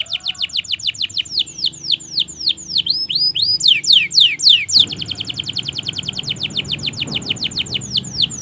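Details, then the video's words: Long-singing canary used as a tutor recording for silent and young canaries: loud downward slurred notes repeated several times a second, then an abrupt switch to a much faster fine trill over soft hiss. "Masteran suara Burung Kenari Gacor Panjang Auto Nyaut Kenari Macet dan Paud"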